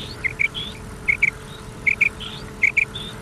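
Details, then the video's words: Common quail calls from an old cassette recording meant to be played through the night: clipped whistled notes in tight pairs, each pair coming roughly every 0.8 seconds over a steady tape hiss with faint higher chirps. "Common Quail Sound | Batair ki awaz"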